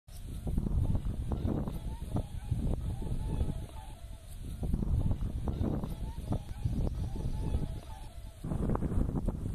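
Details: Whooper swans from a flock of thousands in a Yellow River national wetland park, Dengkou County, Bayannur, Inner Mongolia, present since March, swimming, stretching necks to call and flying; overlapping nasal honks in irregular bursts over a heavy low rumble.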